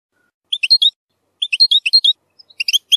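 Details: European goldfinch song recorded for training young goldfinches to sing, described as containing strong harsh notes: two short bursts of bright, tinkling chirps, then a third quicker twittering phrase, with silence between.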